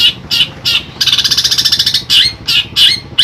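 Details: Raspy separate squawks from a long-tailed shrike kept in Pemalang, Central Java, then a fast buzzy rattle lasting about a second, followed by more spaced harsh notes.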